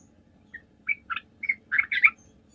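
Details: Sooty-headed bulbul 'gacor' lure meant to coax other bulbuls into calling back: a rising run of harsh, squawky chirps growing louder toward the end, within about two seconds.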